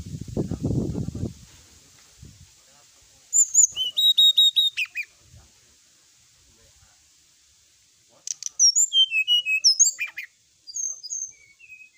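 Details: Night-time master song of a sooty-headed bulbul, full-fill style: low rustling first, then a burst of crisp repeated high notes, a pause, and a second flurry of varied twittering whistles.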